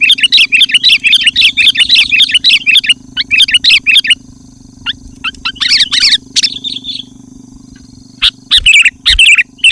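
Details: Energetic sooty-headed bulbul song for luring wild birds and provoking rivals: a long busy stream of bubbly warbling notes, a brief gap, then scattered chips and further phrases over a low hum.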